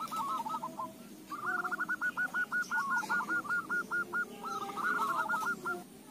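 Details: Zebra dove song played as a lure to set other doves singing: a rapid run of short, even cooing notes, some slurred, some clipped, with a brief pause midway, over a low steady background hum.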